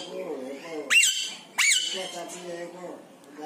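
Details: Free-flying parrot exchanging calls with pet parrots indoors: two loud, harsh, high squawks, each sliding downward, half a second apart, with soft murmuring chatter in the background.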